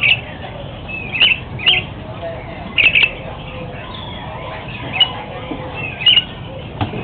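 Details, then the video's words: An Asian pied starling at a Jakarta bird market gives short, sharp chirps and squawky notes, singly or in quick pairs about once a second, over a steady background hubbub. "Asian Pied Starling Calls"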